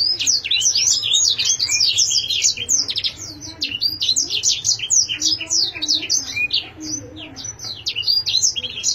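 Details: Canary singing a dense, fast stream of high, sharp chirps and short sweeping whistles, notes tumbling in rapid bursts almost without pause, with a faint low hum beneath.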